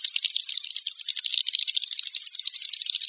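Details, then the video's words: Swiftlet call: rapid, crackling high twitters packed tightly together, like a fast dry rattle, with a few sharp clicks on top. "Suara Walet Panggil"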